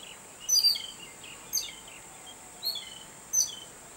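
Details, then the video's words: Babbler excited on seeing a cat; four short bursts of high, sharp chirps with quick downward-sliding notes come about a second apart over a steady high insect-like hiss. "EXCITED BABBLER BIRD"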